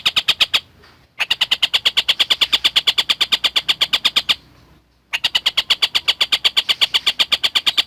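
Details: Collared kingfisher singing actively as a lovebird tutor: bursts of fast, sharp, rasping notes, about three per second, separated by two short quiet breaks, pitch steady.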